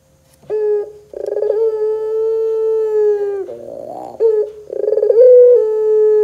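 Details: Lure recording of a pelung Barbary dove meant to get doves singing: a short note, then a vibrating trill sliding into a sustained steady coo, a raspy purring stretch, and another trill-led coo.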